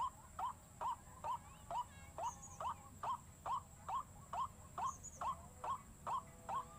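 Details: White-breasted waterhen lure, intended to make waterhens panic, gives a regular beat of short upslurred calls, around two per second, with a faint continuous high tone.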